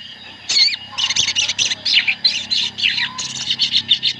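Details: Many sooty-headed bulbuls chattering together as a lure to make birds sing. A busy run of bubbly, slurred chirps in quick pulses after an opening looping whistle, with a low hum underneath.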